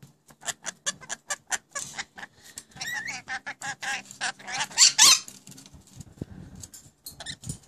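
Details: Talking rainbow lorikeets kept as new pets: a steady train of clipped, evenly spaced syllables, then a tumbling stretch of warbled, wavering speech-like sounds and a shrill screech before the calls thin out.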